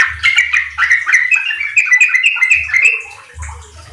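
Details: Yellow-vented bulbul singing as a lure to get untrained kept bulbuls singing fast riwik and ropel song: a busy run of short chirping notes near one pitch, with a low hum underneath.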